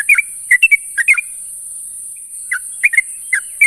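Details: Sooty-headed bulbul calls to companions in the morning, a cluster of quick chirpy notes, a pause of over a second, then more paired chirps, all over a constant high-pitched hiss.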